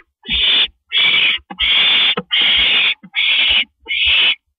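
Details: Barn owls at a nest, male bringing a food treat to his mate on the porch, April evening; six loud rasping hissed screeches, each under a second, repeated steadily with short silent gaps and faint low knocks.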